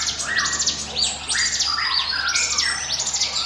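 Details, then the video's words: Bar-winged prinia giving a 'ngiwit wit' song used as a lure for other birds: fast sequences of high sweeping chirps mixed with short rising and falling whistles. "NGIWIT WIT SUARA CIBLEK GUNUNG SIAP JADIKAN PANCINGAN MU"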